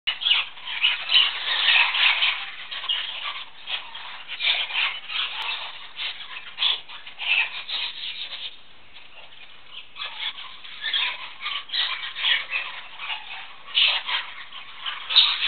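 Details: Tame male budgerigar, cappuccino spangle, hatched 2012, chatters in continuous scratchy, warbling bursts, high and bright, with brief pauses between runs of squawks and twitters.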